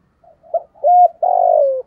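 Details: {'caption': 'Spotted dove kept as a decoy bird, thổ-style voice, calling quickly to stir up wild doves: a soft short note, a higher level coo, then a long buzzy note that slides gently downward. The phrase is clean and quiet behind.'}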